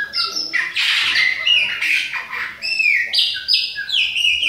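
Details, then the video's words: Bahian Chopi blackbird, a young bird, in autumn song: dense mix of rich whistles and harsher squawky notes, steps of level tones and falling slurs run together without pause. "FUMAÇA E FILHOTE PÁSSARO PRETO BAIANO COMANDA OUTONO !"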